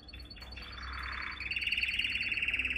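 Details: Canary training song: a soft buzzy warble building into a fast, even, high rolling trill of rapid pulses.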